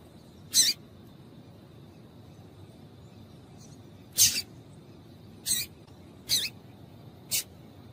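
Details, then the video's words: Female Double-collared seedeater calling, a call used to warm up males and stimulate them to sing; five short, sharp, high chips spaced irregularly over eight seconds, with a faint steady high tone and a quiet low hum behind. "Piado de Fêmea de Coleiro para Esquentar Coleiro"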